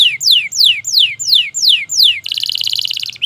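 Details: Canary singing to trigger silent canaries: six loud, slow, falling whistles spaced evenly, followed by a rapid, rattling buzzy trill of tight repeated notes.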